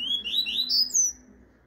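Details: Double-collared seedeater singing the classic 'tuí-tuí' song style, used for teaching young birds: a brief run of loud, clear, high whistled notes, each sliding upward, over a faint steady room hum.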